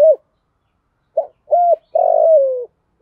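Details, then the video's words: Female spotted dove calling as a lure for wild males, in 'giọng thổ pha' style with one closing note. A clipped note, a level hoot and a long wavering coo that slides downward, all mellow and low. "Tiếng cu gáy mồi gáy gọi kích bổi chuẩn Giọng thổ pha, Cu gáy gáy gọi 1 hậu, giọng hạp bổi"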